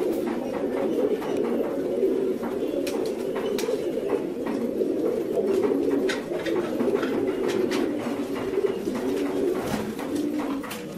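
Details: Many fancy pigeons coo together in a steady, overlapping murmur of low, throaty rolling notes, with occasional wing flaps and clicks.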